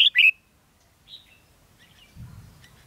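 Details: Red-whiskered bulbul used as a decoy for trapping in Ha Nam, Vietnam, on 13 November 2016, giving two loud, quick, chirpy notes, then faint softer notes, with low rumbling noise toward the end.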